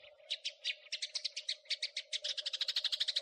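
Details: Crecetan chattering of a house sparrow for tutoring cage birds: chirps begin about three per second and quicken to a dense, steady rattle by the end, with a faint continuous hum.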